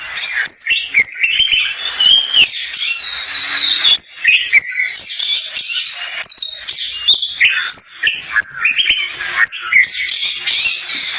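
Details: Oriental magpie-robin delivering a long, varied song of sweet whistles, slurred upslurs and chattering notes, phrases following each other with brief gaps, a constant shrill insect chorus behind.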